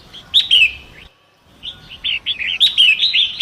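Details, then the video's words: Wild forest Long-tailed Shrike by a fast-flowing river, recorded as a training song for other songbirds: bursts of chirpy, warbled notes, some sharp and rising, a brief silence, then a denser run of quick chattering phrases. "Masteran Pentet Hutan"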